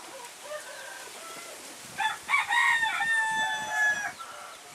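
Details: Young Phoenix rooster, nearly a year old and the smallest of his group, with tail feathers still growing, recorded January 16, 2010; after two quiet seconds, one harmonic crow of several joined, rising then level syllables lasting about two and a half seconds.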